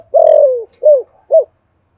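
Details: Spotted dove used to lure wild birds, calling a three-note coo: a long falling first note, then two shorter arched coos, each quicker than the last, followed by silence.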